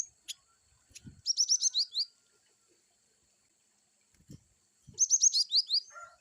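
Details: Cinereous tit (glatik batu) giving varied wucit calls: two bursts of rapid, high, sharp chirps, each a quick run of about eight downslurred notes, separated by a few seconds of quiet with faint low knocks.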